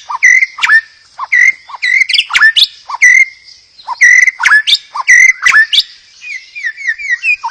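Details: Song of a white-rumped shama, used to provoke rival shamas into song: clear whistled notes alternating with sharp sweeping chips in a varied, lively pattern, phrases about a second apart, with a brief quiet gap midway.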